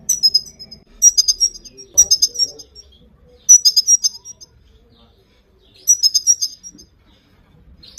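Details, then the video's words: Female Himalayan goldfinch giving bursts of high, tinkling twitters, each under a second, about every one to two seconds, used to motivate and train male goldfinches to sing; faint low background noise. "چیو زدن ماده سایره | برای تحریک کردن سهره ها | female gold finch calls song for male training"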